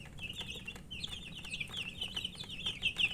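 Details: Thirsty chicks peep in a high, overlapping chorus, starting quieter and growing denser, with a few louder shrill peeps toward the end.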